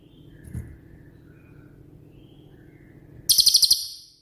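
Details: Cililin, a shooting-type bird used as master song for training songbirds: near silence with a faint low thump, then one sudden, very high, sharply pulsed rattle of about seven notes at the end.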